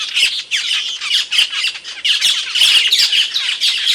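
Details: Asian glossy starling calling loudly and sharply, as the Indonesian cucak keling is known to: dense, piercing high squawks and chips in quick succession with little pause.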